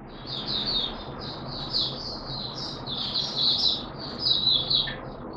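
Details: Malaysian Oriental white-eye in open 'buka' singing, recorded in Singapore on 29 March 2023 during warm, humid weather with sudden showers; a continuous, high, rapid twittering warble, softer than usual, over a steady low background hum.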